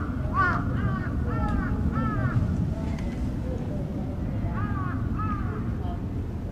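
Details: Crow giving what is described as an earthquake warning call at Aoba no Mori Park, recorded 28 May 2017: a series of hoarse, down-curving caws in two bursts, over steady low rumble and traffic-like background noise.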